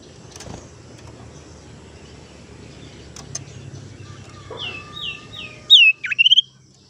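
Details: Tailorbird call used as a lure to draw birds in and stimulate silent ones to sing: a soft series of descending whistled notes, then loud, abrupt high chirps and a sharp downward slur at the end.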